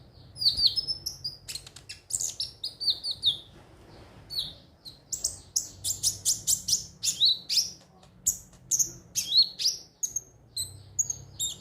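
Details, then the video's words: Konin, or ruby-cheeked sunbird, singing as a lure recording for other birds: rapid high chirps and sliding whistles come in quick bursts, with short pauses between phrases and a faint low hum behind. "pancingan suara burung KONIN agar rajin bunyi tiap hari"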